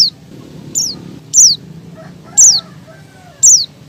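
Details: Female Oriental white-eye, in heat, calling a male: five high, sharp downslurred chirps, the louder ones about one second apart, with faint lower-pitched sounds and a low background hum.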